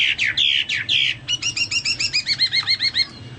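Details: Chinese hwamei singing prolifically, likened to a Papuan or golden bulbul: a few strong falling whistles, then a quick even series of about fifteen short, clipped, repeated notes.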